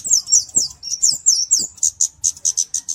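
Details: Kemade flowerpecker song for master tutor and lure use: loud sharp down-slurred high ticks in quick succession, shifting to softer, evenly spaced thin chips in the second half.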